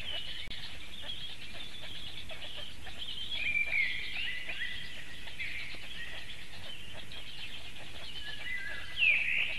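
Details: Nestling black storks in Latvia gulping down large fish on 22 May 2018, late afternoon, on a nest webcam; a stream of thin, high-pitched squealing calls rising and falling, ending in a louder squeal, over constant hiss.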